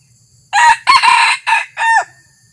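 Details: A red junglefowl decoy cock on its first outing gives one clipped crow of four rough, harsh syllables, the last drawn out and falling, lasting about one and a half seconds.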